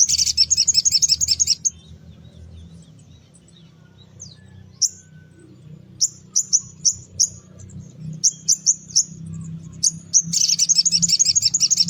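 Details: In the morning a sogon pastol, recorded as a lure for small birds, sings a rapid chattering trill, then scattered high whistled notes in quick pairs, then another long fast chirping trill, with a low background hum.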